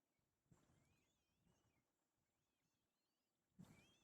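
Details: Baby white-tailed kites squabbling over food give faint, wavy, drawn-out whistles that slide up and down, some overlapping, with soft thumps and a louder rustle near the end.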